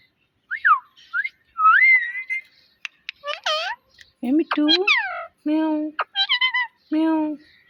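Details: Talking parrot kept as a pet, mimicking words and meows: quick falling whistles, then dense harmonic meow-like calls and flat, nasal speech-like notes in rapid succession.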